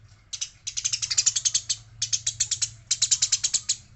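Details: Fighting Eurasian tree sparrow giving a near-continuous stream of fast, scratchy chirps. Three long bursts of a dozen or more ratchet-like notes run with barely any gap, over a low background hum.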